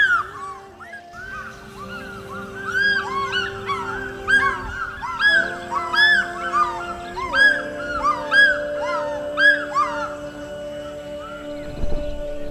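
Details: An African Fish Eagle at Lake Naivasha, Kenya, gives its characteristic ringing, yelping call, notes rising and falling in quick repeated bursts, over a steady background of droning music.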